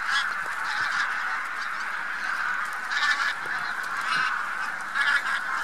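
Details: A huge flock of bean geese mixed with some white-fronted geese on spring migration at Lubiń near Trzemeszno, central Poland, 3–4 March 2018, giving a dense, continuous chorus of overlapping honks with louder swells every second or two.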